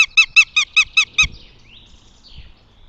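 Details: Northern goshawk at its nest, Tartu, Estonia, 2 June 2025: a loud, even cackle of seven sharp, harmonic kek notes about a fifth of a second apart, then a faint rising whine.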